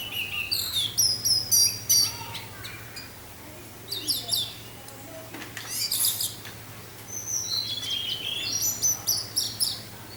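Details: Singing orange-headed thrush in the 'teler' style, with wind sound: long, varied, high-pitched song of piercing whistles, slurred notes and rapid rattling bursts in irregular phrases throughout, with a steady low hum underneath.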